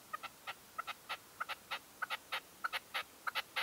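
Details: Decoy red-legged partridge calling during an intense dawn hunting stand in 2023: short, sharp chuffing notes, often in quick pairs, repeated steadily at about a hundred and sixty notes a minute against a quiet background.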